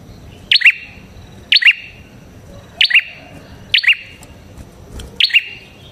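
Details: Red-headed prinia call used to lure prinias: sharp, high two-part chip notes repeated about once a second, five times, over steady low background noise.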